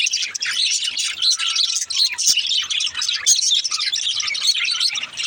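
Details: Young budgerigar song: bright twittering and chirps, with a short clear whistled tone near the middle, all overlapping in a continuous chatter.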